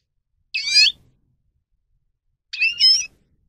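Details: Two separate nasal, buzzy double-toned calls about two seconds apart from a grey-crowned goldfinch, part of a song-training recording.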